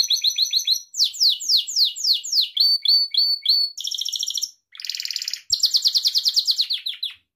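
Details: A Gloster canary, pet breed, delivers clear descending sweep notes about three per second, then rapid clipped notes, buzzy rattles, and a long fast rolling trill.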